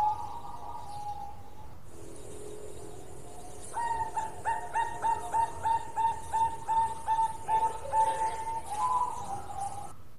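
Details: Singing local zebra dove: after a muffled opening, a rolling series of quick, soft cooing pulses runs for several seconds at a rapid, fairly even pace, ending with a slightly higher note over low background noise.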